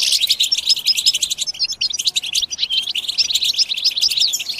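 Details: Massed European goldfinch chatter (batbata) for stimulating singing: loud, fast, liquid twitters with short upslurred whistles repeating densely, rising and falling in bursts.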